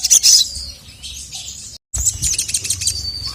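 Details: Sogok ontong calling, a female calling her male and him replying angrily. A dense, very high chirping chatter breaks off briefly and then resumes as rapid twittering.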